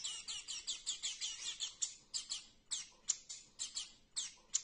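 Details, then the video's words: Very hungry hand-fed star finch chick begging for food: rapid, high, buzzy chirps in quick bursts, several each second, rising to sharper squeaks between pauses. "Люто голодный птенец тростникового астрильда"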